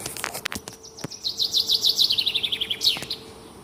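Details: A few sharp clicks open this morning recording, then a small bird delivers a quick rattling trill of high notes stepping steadily down in pitch, closing with a brief upward flourish.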